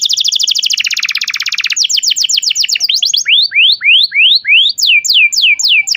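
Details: Young-canary training song of an Atlantic canary: a rapid buzzy roll, quick repeated slurred notes, then slower rising whistles about twice a second and drooping sweeps.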